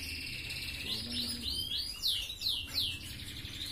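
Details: Red canary in 'gacor ngerek' master song, played to stir hens to breed: high sustained trill, then a run of sharp descending swept notes repeated about three per second, with a low background hum.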